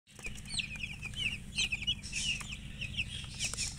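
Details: Newborn chicks chirping loudly: a flock of just-hatched chicken chicks gives rapid, high, downslurred peeps that overlap in a busy, continuous chatter, with faint low rumble beneath.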